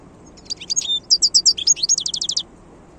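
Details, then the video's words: Song of a wild European goldfinch from 2022, a rapid mix of bright chirps and a clear whistle followed by a run of quick identical high notes, with a quiet low rumble beneath. "chant chardonneret sauvage 2022"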